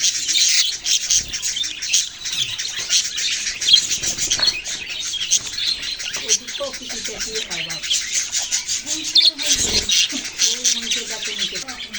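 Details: Baby budgerigars chirping: a dense, unbroken chatter of high, scratchy chirps and twitters from many birds, with faint lower voice-like tones murmuring underneath throughout.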